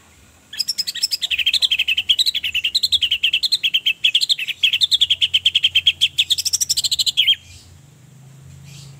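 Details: Orange-headed thrush, a female whose voice is used as a lure to stir mating urge and aggression in males so they sing: a fast, steady chatter of sharp notes, about six per second, for some seven seconds, wavering slightly in pitch.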